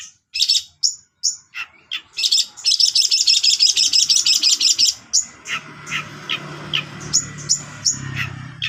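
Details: Long-tailed shrike in 'tembakan gereja' style song, cililin fill: several sharp high notes, then a fast buzzy trill of about three seconds and spaced chirps over a low background hum.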